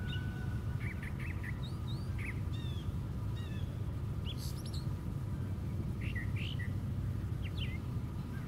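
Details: Brown thrasher singing from the very top of a white pine tree: a run of varied short chirps and slurred whistles, some sharp downslurs, delivered in quick succession over a steady low rumble.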